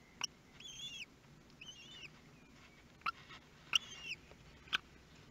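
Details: Common kestrels at a nest box in Théding, France, on 23 May 2022 during the newborn chicks' first meal: thin, high wavering calls about half a second long, repeated about once a second, with sharp clicks and scratching between them.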